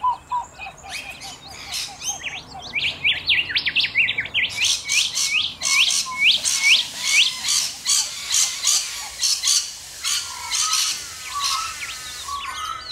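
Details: Rainbow lorikeets in Australia: a chattering mix of short chirps builds into dense, rasping screeches repeated rapidly, about two per second, with overlapping birds forming a noisy flock chorus.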